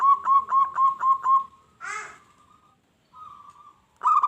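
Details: Zebra dove song played to make wild doves answer and attack each other: a fast run of staccato cooing notes, a brief rough note, a soft drawn-out tone, then the trill starting again.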